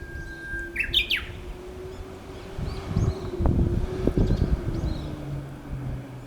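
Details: Unseen Japanese bush warbler giving its textbook hō-hokekyo song: one long, steady, whistled note that breaks into a quick rising flourish, followed by a low hum and a few dull thumps.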